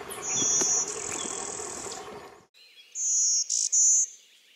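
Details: Blue-winged Warbler song, a "bee-buzz": thin, very high, insect-like buzzes, a long drawn buzz and then a two-part bee-buzz, over a soft hiss.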